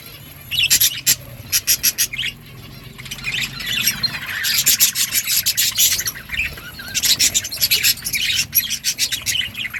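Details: Budgies chatter in harsh, rasping bursts, first a run of evenly spaced scratchy pulses, then dense overlapping chirps and warbles that swell and fade, over a constant low background hum.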